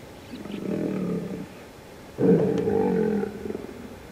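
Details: Startled Goliath heron at Lake Panic near Skukuza in Kruger National Park after losing its catch; two low, grating croaks, each over a second long, separated by a short pause.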